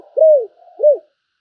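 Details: Decoy spotted dove calling in the gáy gọi style. Two low, smooth coos, each rising briefly then falling, separated by a soft murmur.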